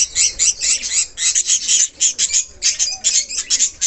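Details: Budgerigars, kept parrots. Rapid, high, twittering chirps and squeaky warbles pour out almost without pause, bright and busy throughout.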